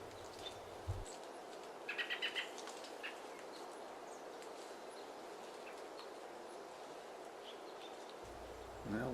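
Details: In a backyard in spring, an annoyed American robin (Turdus migratorius) scolds an intruding jay at fruit-laden bushes to hurry it away: a quick burst of about five sharp, clipped notes, then silence against a soft outdoor hiss.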